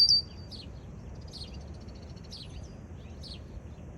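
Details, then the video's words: Red-winged blackbird in a backyard opens with a sharp, high note, then gives thin, down-slurred calls about once a second over a soft rumble of outdoor noise. "Red winged blackbird call"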